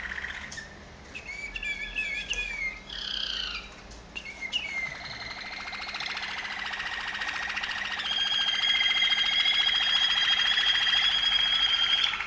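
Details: Waterslager Malinois canary, a Serbian bird from Veliko Gradiste, singing short rolled trills with harmonic bursts, then a long steady high trill held from about eight seconds to the end, growing louder.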